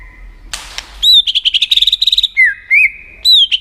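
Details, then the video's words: [7, 'White-rumped shama singing with tail-flicking to fire up rival birds: a sharp noisy burst, then rapid high chattering whistles around twenty in quick succession, a downslurred note, an upslurred note, and more fast chips.'] "Chòe lửa tạch đập đuôi kích thích lửa lên lửa rất nhanh kích chim hót đấu hiệu quả"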